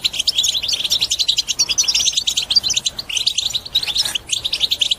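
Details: European goldfinch singing a strong bitbita-style song meant to encourage other birds to sing and break their silence: a dense, continuous run of high twittering and tinkling notes, rapid and unbroken, with quick chirps throughout.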